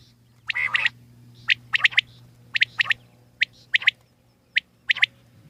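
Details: Sharp, clipped calls of a wild common quail, with a harsher opening note, then phrases of one note and a quick double or triple, repeated roughly each second against a faint constant hum.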